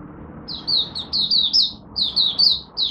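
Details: A Malaysian oriental white-eye, caged, sings its first warm-up of the morning: high-pitched, slurred chirps in two quick clusters over a steady low background murmur.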